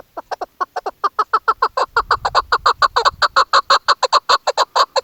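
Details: Female chukar partridge calling during hunting season, used by hunters: a steady series of about thirty husky, clucking notes, evenly spaced and speeding slightly, with a brief low rumble in the middle.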